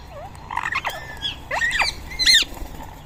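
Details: Ring-necked parakeets at a feeding spot in Coimbatore, screeching in short grating bursts with rising and falling squawks, a few birds calling close together over low background noise.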